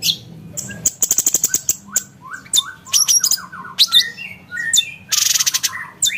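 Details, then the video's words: Brown-cheeked bulbul giving a sharp 'nembak' song used to tutor competition songbirds: loud high chips and clicks mixed with short rising and falling whistled slurs and a harsh buzzy burst near the end, all dense and rapid. "Cucak cungko nembak tajam"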